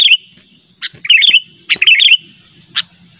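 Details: Sooty-headed bulbul, natural lure call insistently summoning a rival: short bright chirps and quick burbling warbled phrases, with sharp chips between and quiet gaps, a faint steady high tone underneath.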